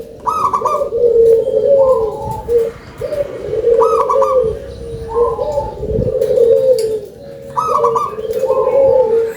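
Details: Loud local zebra dove singing in a big voice: repeated phrases of low, pulsing, warbled coos, each opened by a higher quick trill, recurring about every three seconds.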